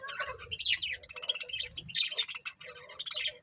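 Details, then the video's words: Colourful budgerigars chatter in a dense, nonstop stream of high, scratchy chirps and warbled twitters, with quick squeaky notes overlapping throughout. "Cute Colourful Budgies Chirping Sounds"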